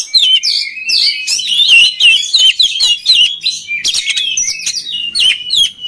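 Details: Bold, varied song of an oriental magpie-robin used to condition other magpie-robins to sing. Rapid whistles, squeaky slurs and harsh rasping notes jumble together throughout.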